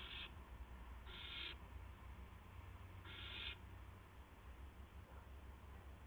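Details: 2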